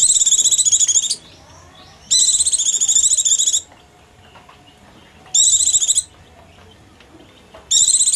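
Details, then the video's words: Hungry or frightened Oriental white-eye call, used as a lure for small birds, gives loud, very high, rapid chattering bursts about a second long, repeated every two to three seconds, with near silence between. "Mp3 Pleci"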